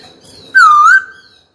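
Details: Caged white-cheeked laughingthrush singing to call a rival to fight: a single loud, pure whistled note with a slight dip and rise, lasting about half a second.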